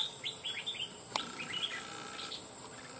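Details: Trapped wild red-whiskered bulbul, crest raised, fanning and displaying, loud ringing voice. A rapid run of four or five bright chirped notes opens, followed by softer warbles and a sharp click over a thin insect whine.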